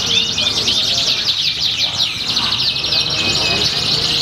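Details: Canaries singing at a bird singing competition in Pringsewu on 22 September 2019. Dense, fast, high trills and buzzy rattling phrases overlap continuously. Several birds sing at once, with faint voices in the background.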